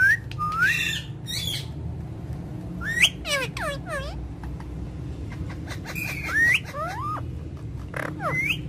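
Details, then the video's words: Indian ringneck parakeet uttering irregular rising whistles and raspy chatter with gaps between, set against a low background rumble and faint voices. "Ringneck parrot taking Natural Sound"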